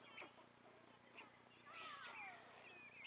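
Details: White stork chicks, three young left in the nest, begging while a parent feeds them; faint cat-like mewing and thin descending whistled notes build after halfway, over a steady low hum from the nest recording.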